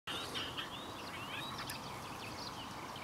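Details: A singing male Woodchat shrike of the subspecies senator at Rishammar, Kareby, Kungälv, Sweden, on 10 June 2015: a rambling run of high whistles, rising slurs and scratchy chatter at a quick pace, over steady outdoor hiss.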